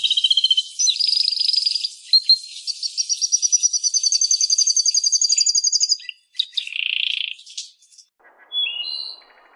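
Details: Canary (Serinus canaria), song.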